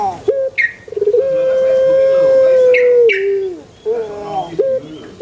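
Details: Pelung chicken crowing: brief stuttering notes lead into a long, even, ringing tone held for about two seconds, then a falling tail, with short wavering calls after it.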